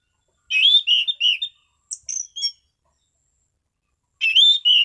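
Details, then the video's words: Orange-sided thrush in a calm, stable singing mood: a rich run of whistled, warbling notes, a brief trio of thin high chips, a pause, then another loud whistled phrase. "Burung Anis Cendana Ngeplong Santai"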